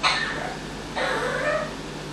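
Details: Amazon parrot kept as a pet, imitating an evil laugh learned during a week away from its owner: a short raspy burst, a brief pause, then a longer grating, cackling phrase, with constant low indoor hum beneath.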